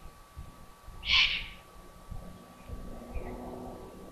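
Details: Eurasian eagle-owl family at Burgruine Königstein im Taunus, Germany, evening, 15 July 2020. One short, breathy, hissing screech rises out of low rumbling noise, followed by faint soft background sounds and a constant hum.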